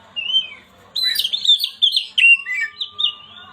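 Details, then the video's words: Kacer (Oriental magpie-robin) song to stir a silent bird into singing; a lone sliding whistle, then a dense burst of jumbled whistles, chips and chatter, trailing into softer notes. "Pancingan burung Kacer yang macet bunyi"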